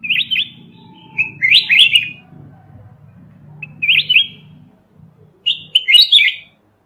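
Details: Red-whiskered bulbul from the mountains, its song used as a trapping lure: four lively chirping, warbled phrases of rising and falling notes, some longer, some brief, over a faint low hum.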